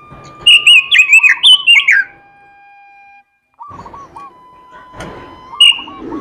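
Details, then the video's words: Oriental magpie-robin singing melodiously, a quick run of bright whistled notes rising and falling for about two seconds, then a pause and a softer repeated chirp with one more high whistle near the end. "robin suara merdu gacor isihan"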